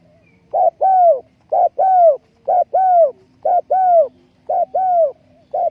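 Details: Steady cooing of a spotted dove kept as a trapping decoy, 20 April 2020: five short-long phrases, the long note sliding downward, spaced roughly one second apart, with a faint low hum behind.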